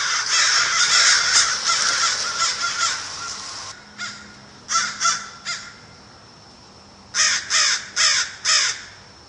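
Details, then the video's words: American crow giving harsh caws, first a dense rasping stretch, then a pause, a quick trio of caws, another pause, and finally four evenly spaced hoarse caws. "american crow"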